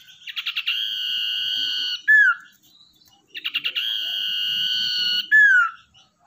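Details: Common iora, a tamed wild-caught cage bird used to lure others, sings two phrases: rapid stuttering pulses build into a long, even, piercing whistle, each closed by a quick downward-sliding note, with a short silence between.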